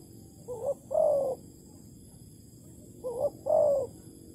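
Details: Spotted dove heard during decoy bird trapping in Malaysia, 11 August 2020; two soft cooing phrases, each a brief wavering note followed by a longer smooth hoot, separated by a pause over low hum.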